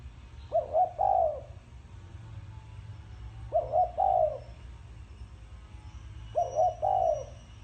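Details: Spotted dove in thổ sấm style with three evenly spaced phrases roughly every three seconds, each two quick soft coos and a longer falling coo, over a persistent low hum.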